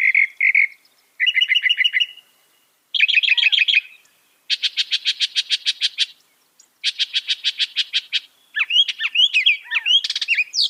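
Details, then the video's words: Mimicking northern mockingbird, credited with learning about 200 sounds, delivers a masteran song in blocks: short chirps, then trilled phrases each repeated many times in fast rattling series, ending in sharp slurred whistles. "Masteran suara burung NORTHERN MOCKINGBIRE bisa merekam 200 suara"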